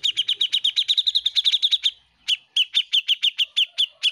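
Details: Cucak jenggot, the grey-cheeked bulbul, singing busily for a master track to teach other songbirds: a quick series of bright repeated chirps, a short pause, then slower evenly spaced chirps continuing.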